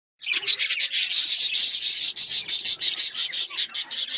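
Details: Several budgerigars, described as Australian parrots, chatter together in a dense, continuous stream of high chirps and warbles, with fast rhythmic pulses running through the whole stretch.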